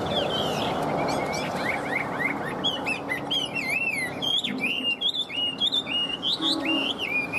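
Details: Chinese hwamei kept caged as a songbird, singing excitedly: sharp, rapid notes give way to a long series of rolling, looping whistles that repeat and vary, over a steady low background murmur.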